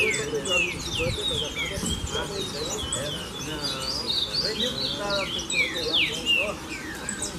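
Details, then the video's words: Rusty-collared seedeater song used to teach young birds to sing: rapid, high chirps and sharply falling whistled notes, several birds overlapping, with human voices and a steady low background hum. "Coleiro Professor Aprendizado"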